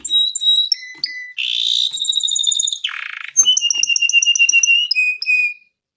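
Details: Canary in long gacor song suited to baiting and mastering, mixing clear flat whistles, dense buzzy rolls and a series of rapid repeated notes that step down in pitch.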